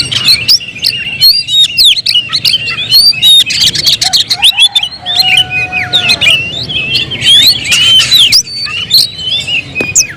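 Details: Oriental magpie-robin singing: a busy stream of varied whistled notes, slurred upward and downward sweeps and sharp chirps, with short harsh squawks and a few longer level whistles, dense and continuous across the clip.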